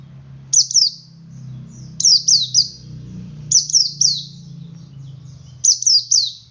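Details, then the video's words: Male Oriental white-eye giving ngalas song to draw other white-eyes into singing: four clipped bursts of two or three very high, quickly falling notes roughly every one and a half seconds, with low murmuring noise beneath. "Suara Burung Pleci Jantan Ngalas Memancing Pleci Lain Ikut Ngalas"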